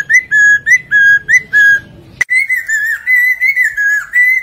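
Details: Lesser necklaced laughingthrush singing, a recording used to attract birds into traps. Rapid steady whistled notes stop for a brief gap after a sharp click, then the singing resumes as longer, wavering, connected whistles.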